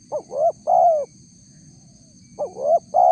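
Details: Lure call of a spotted dove for attracting wild birds: one full phrase of two brief rising coos and a long mellow falling coo, followed by the start of another phrase, faint continuous high tone behind.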